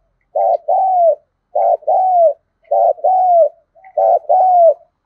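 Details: Caged-style decoy spotted dove for luring other doves, 'thổ sấm' voice: four evenly spaced coo pairs, a quick note then a longer falling one, roughly one pair per second.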